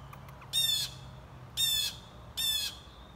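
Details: A young Blue Jay begs with three harsh, raspy squawks about one per second, while cars pass, an ambulance siren sounds, a crow calls and a child speaks.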